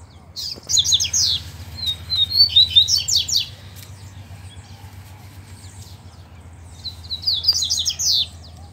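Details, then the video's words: Double-collared seedeaters answer each other in a singing contest with a free male: two rapid buzzy trilled phrases close together, then a long pause and a third phrase, over a low background hum. "Coleiros Altas Horas e Braddock Cantando e Disputando Com o Coleiro Solto!!!"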